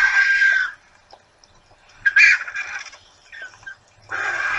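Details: Vultures among hundreds of raptors gathered to feed at breakfast time at Torre de Tamúrcia give harsh, raspy hissing squeals in three rough bursts, with quieter rustling and grunting between.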